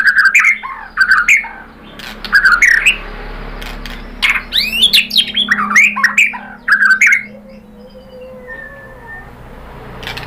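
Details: White-rumped shama, murai batu, sings a pancingan lure to make rival shamas answer: loud repeated twisting whistled phrases separated by sharp clicks and squawks, fading to quiet faint whistles near the end.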